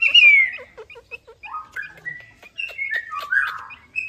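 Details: Chinese hwamei lure song: an opening bright downslurred whistle, a quick run of short clipped chirps, then varied fluting whistles stepping up and down in pitch.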